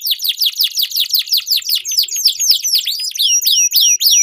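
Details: Duelling canaries give long rolling song meant to lure silent canaries and train contest birds: steady downslurred whistles about four per second, then faster crossing rising and falling notes building toward the end.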